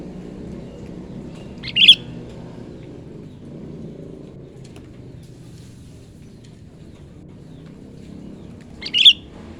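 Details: Sooty-headed bulbul, a young wild-caught bird being trained as a trapping decoy, gives two short, bright chirped notes about seven seconds apart over a steady low rumble.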